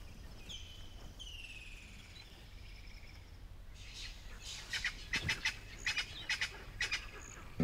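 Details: Spurfowl alarm call in Kruger National Park, South Africa, harsh scratchy cackling bursts about two per second, signalling a predator nearby such as leopard, lion or bird of prey; faint thin falling whistles from another bird before it.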